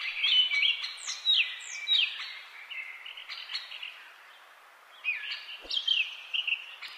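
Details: A pet green Indian ringneck parakeet at play gives bursts of shrill, rough chirps and quick downward-sliding squeaks in irregular clusters, with a short quiet gap midway and a faint thump.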